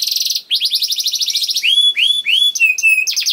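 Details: Young canary singing a persistent rolling song used as a lure to get other canaries singing: rapid buzzy trill, then repeated bright upslurred whistles and short high rolls, no other sounds.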